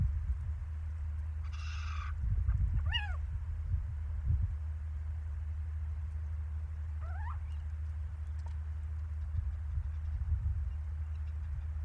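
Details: Little owls at Lichtenvoorde in mid-January 2024: after a brief burst of noise, a sharp descending yelp, then later a single rising mewing call, with steady low wind rumble throughout.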